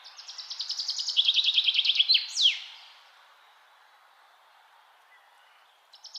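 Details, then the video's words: Songbird in nature delivering one phrase: a quick series of high repeated notes stepping gradually down, ending in a bright falling slur; near silence follows, and a new burst of high notes starts just at the end. "Birds in nature |peaceful sound"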